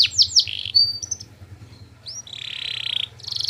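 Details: Canary song used to coax other canaries into answering: a few quick falling chirps, short pure whistles, a rising slur, then a soft buzzy trill, fairly faint against a low hum.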